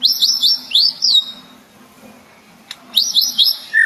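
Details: White-rumped shama (murai batu) singing: a rapid burst of high, down-slurred whistles, a pause of almost two seconds, then another quick whistled run ending on a lower note.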